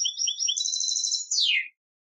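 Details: Brief contest song of a European goldfinch: high twittering notes blending into a sustained buzzy trill, ending with a sharp downward-sweeping slur.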